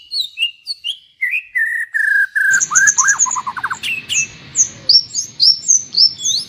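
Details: Bird master song used to train trocok garuda: bright high whistled notes, a fast descending trill of downslurred chips, then repeated short high-pitched slurs over light background noise.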